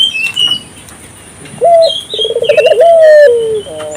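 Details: African collared dove, calling actively to encourage nearby local doves, gives one full coo: a short clipped note, a rapid rolling trill and a long, slowly falling tone, preceded by faint chirps and wing sounds.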